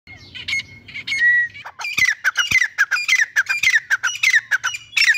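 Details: Grey francolin, locally called billu teetar or dhakni teetar: a few thin whistled notes, then a fast run of harsh, squawking, strongly accented notes, roughly three per second, loud and clear over a quiet background.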